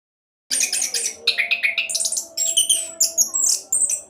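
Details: Orange-headed thrush in fast 'roll' song style, used as a lure to get other birds singing: after half a second of silence, rapid varied bursts of high chirps, trills and squeaky notes, with a faint low steady hum beneath.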